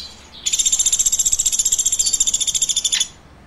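A woodpecker gives a high, buzzy trill of about twelve rapid pulses a second, held steady for over two seconds before stopping abruptly.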